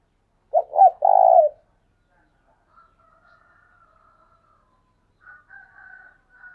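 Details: Decoy spotted dove calling in the urging "thúc sung" style: one loud low coo phrase, two short notes and a long coo, followed by fainter, higher coos from another dove further off.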